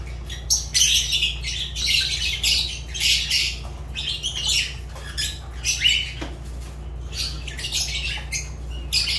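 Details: Kept Fischer's lovebird producing dense, noisy, high-pitched squawking and chattering in rapid runs with brief gaps, over a steady low-frequency hum.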